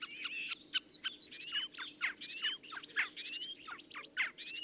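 A Common Starling sings a fast, rambling medley of clicks, creaky notes and rising slurred whistles that runs without pause, over a faint low hum.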